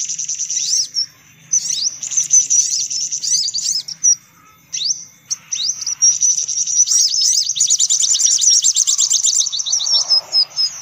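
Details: Noisy sunbird lure recording: scattered high chirps and sliding whistles with pauses, building into a long, dense, rapid twittering run.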